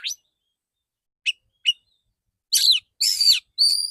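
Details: Male white-rumped shama giving full clear song shots: a sharp rising note, two spaced chirps, then three loud phrases, buzzy and sweeping, ending on a bright whistled tone.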